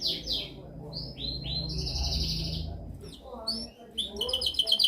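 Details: Canary singing a dominant training song: a run of high whistled and buzzy phrases, descending slurred notes, then sharp rapid chips and fast trills near the end, over a faint low hum.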